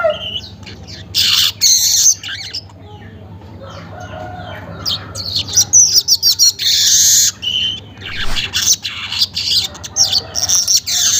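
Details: Weaver recorded around 5:40 am in the morning: scattered bursts of harsh, high, sizzling buzzes with quiet stretches between them, and busier chattering toward the end.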